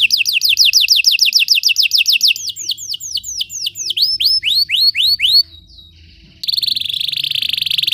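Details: Belgian canary singing as a training song, quick falling trill notes slowing into spaced, hooked whistles, a brief faint tone, then a buzzy continuous rattle to the end.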